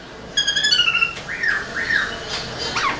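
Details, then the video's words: Black-throated laughingthrush singing with tail display, played to rouse caged birds: a short nasal, harmonic-rich drawn note followed by two soft arched whistles and a faint upward slur. "Khướu bạc má HÓT MÚA ĐUÔI cực sung kích khướu nhà bạn căng lửa"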